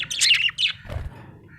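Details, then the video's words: Budgerigar, called happy, gives a short loud scratchy warbling burst followed by a soft trailing chirp, with a low hum behind. "Happy budgie chirping sound"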